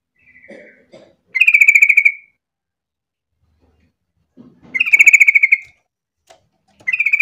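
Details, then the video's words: Yellow-vented bulbul (trucuk) in lively, vigorous song, used as a lure to prompt other bulbuls to join in: loud bursts of rapid, pulsed chattering notes about a second long, repeated every three to four seconds, with faint low rustling between phrases. "pancingan trucuk gacor biar trucukan lain ikutan bunyi"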